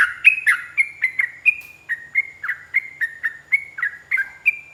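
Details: Yellow-vented bulbul in a long, fast 'ropel panjang' singing style, played as a training recording to make other bulbuls reply. Quick run of sharp, bubbly chirps, about four each second, each note sliding up or down, with no other sounds.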